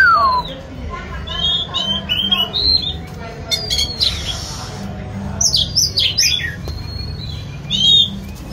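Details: Dancing white-rumped shama sings a falling whistle, then warbling high chirps and squeaky twittered phrases, ending in a loud bright flourish, over a low steady hum.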